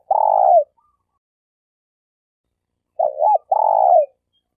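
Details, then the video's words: Malaysian spotted dove kept as a trapping decoy, calling with a long falling coo, a pause of over two seconds, then a short hooked note and another long descending coo. "Suara Burung Tekukur Denak Padu Juara All Star"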